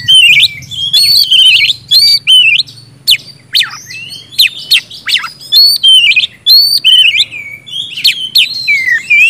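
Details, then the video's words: Kacer, the oriental magpie-robin, in continuous ngeplong song meant to prompt lazy or stalled birds to sing: rapid rich whistles, sharp downward sweeps and repeated looping phrases, loud and almost unbroken. "kacer gacor ngeplong,sangat cocok buat pancingan kacer macet/bahan auto gacor ngeplong"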